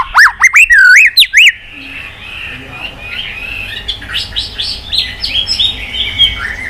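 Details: White-rumped shama in fighting song: loud looping whistled notes swinging up and down at the start, then softer quick chattering and warbled phrases from the bird continuing to the end.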